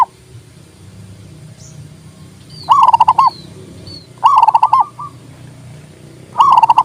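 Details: Three rapid phrases of about six staccato, ringing coos each, spaced roughly one and a half to two seconds apart, from a local zebra dove whose song is played to stir silent doves into singing.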